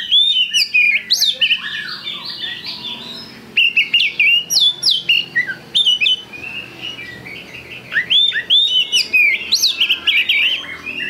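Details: Oriental magpie-robin delivering a loud, varied song of sweet whistles, sharp chips and looping slurred notes in rapid bursts, phrases coming almost without pause over a low background hum.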